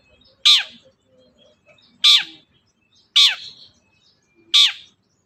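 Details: Long-tailed shrike giving loud, rasping, downward-sweeping single notes, four of them over about five seconds, as a lure to make a quiet shrike start singing.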